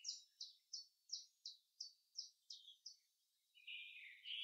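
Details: Common chaffinch in forest, delivering about nine sharp, down-slurred high notes, roughly three per second, followed by a harsher, buzzy ending phrase against a faint background hiss.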